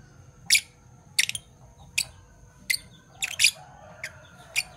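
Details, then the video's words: Fischer's lovebirds, a parblue violet and a parblue turquoise bird, chirping in the morning: short, dry, clicky chirps repeated roughly every half second to second, one tighter double burst, faint hum behind. "Lovebird Chirping Sounds - Parblue Violet Fischer & Parblue Torquoise Fischer"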